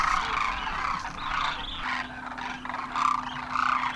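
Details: Demoiselle cranes (Koonj) making their migratory landing at a water hole in Khichan, Rajasthan, India; loud overlapping calls rise and fall in uneven bursts about twice a second, over a low steady tone.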